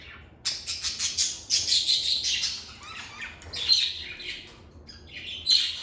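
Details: Pet lovebirds chattering in a calm environment: a long, dense run of fast, high, scratchy chirps and squeaks, rising and falling in loudness, with brief gaps before further bright notes.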